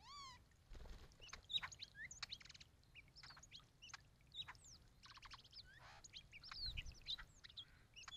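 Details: Three male hooded orioles bathing in a birdbath and singing a rapid, jumbled run of high whistles, chatters and slurred rising and falling notes over a low background rumble.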